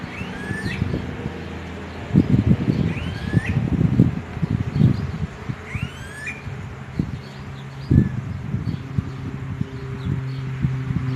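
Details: Smooth-billed ani giving rising, hooked whining whistles, about three spaced several seconds apart, over loud low rumbling and thumping background noise.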